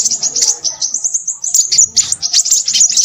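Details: Crimson sunbird, described as noisy, giving a rapid, high, thin twittering run of sharp chips and short trills, with a brief pause midway, then more dense chatter.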